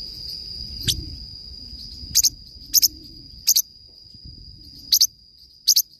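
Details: Forpus parrotlet singing: shrill doubled chirps every half second to a second, with a knock-like low thump near the start, soft low background noise, and a steady high tone.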